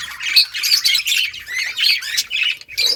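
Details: Crowded budgerigar breeding colony, caged at home: a tight run of shrill squawky chirps and warbled notes tumbling over one another, ending with a short harsh squawk.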